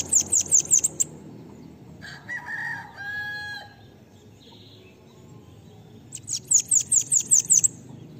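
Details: Bananaquit song in the pega pega style used to train other birds. Short high trills of shrill repeated notes open and close the passage, with a rooster crowing loudly between them.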